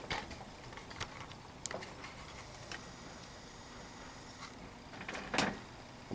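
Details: Sharp knocks and clicks like a door or cupboard, with a faint steady hum in a quiet room and no animal voice.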